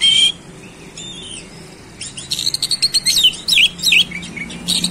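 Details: Oriental magpie-robin in full, fast song, showing off its varied repertoire: high whistles, then a rapid burst of clipped notes mixed with bending, swooping whistles, with a faint low hum behind.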